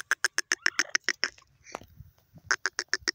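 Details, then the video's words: Francolin calling: rapid series of sharp, evenly spaced clicking notes, a short pause with a rough grating sound, then another fast clicking run. "peasant teetar bird top sound francolin awaz"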